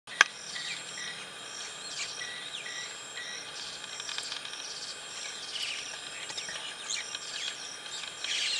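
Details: Common myna (Acridotheres tristis) giving varied chattering and whistled calls, some rising and some falling, with a steady insect hum underneath.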